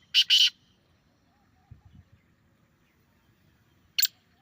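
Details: Teetar, grey francolin, calling to set off a reply from a kept bird: a harsh double note at the start, a quiet gap with soft low bumps, and another grating note at the close.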